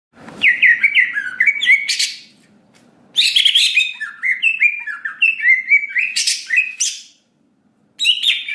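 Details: Greater green leafbird song played as a lure to make other birds respond quickly and sing: varied whistled phrases of rapid slurred notes, broken by brief pauses and sharp bursts of harsh chatter.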